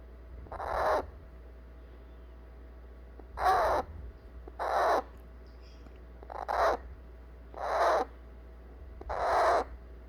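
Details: Young eclectus parrot calling to be picked up after its baby-food feeding: six short, harsh, grating squawks at uneven gaps of one to two seconds, somewhat softer and lower than full screams, indoors with a faint steady hum.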